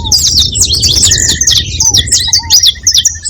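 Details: Several saffron finches calling together: dense overlapping high chirps and trills in a busy chorus, with a steady repeated ticking note, low descending whistles from another bird, and low rumbling background noise.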